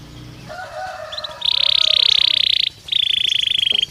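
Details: Belgian canary singing, used as a training stimulus to make a canary respond with a clearer voice: soft low warbling notes, then two long, rapid, buzzy high rolls of about one and a half seconds and one second.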